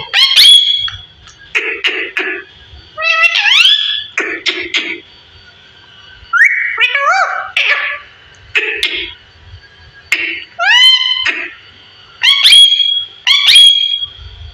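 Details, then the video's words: Fifteen-year-old parrot talking indoors: loud bursts of speech-like chatter mixed with rising whistled notes and shrill squeaks, in phrases of one to two seconds separated by short pauses. "15 Year very beautiful parrot talking"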